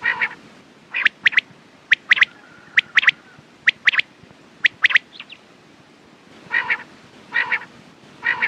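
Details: Quail calls in clipped triple-note bursts, roughly one each second, then a pause followed by three lower, nasal, harmonic calls near the end.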